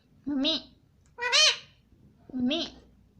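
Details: Indian ringneck parrot saying 'mommy' three times in quick succession: nasal, bent, voiced syllables, the middle one higher and louder.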